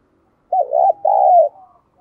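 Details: A spotted dove kept as a decoy gives two smooth coos to attract wild doves, a brief rippling note and then a longer sustained one trailing off downward, with near silence around.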